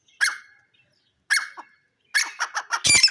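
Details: Grey francolin (jungle teetar) calling: two separate harsh notes, then a fast run of rasping notes that speeds up and grows louder toward the end.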